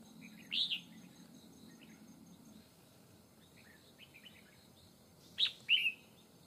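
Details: Red-whiskered bulbul at a fighting trap against a wild bird, said to have a fine twisting forest voice: two loud whistled phrases about five seconds apart with soft chirps between them and a faint insect hum.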